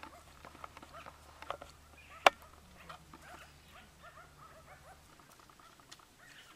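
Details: Grey-crowned babblers at Coolmunda Dam near Inglewood, Queensland, Australia, give soft, rapid chattering notes, many short upslurred chirps running together over a low steady hum, broken once by a sharp click.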